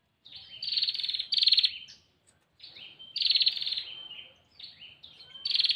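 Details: Female bar-winged prinia calling for the male: two loud bouts of buzzing, rattled trills introduced by sliding whistles, separated by a silent gap of about a second.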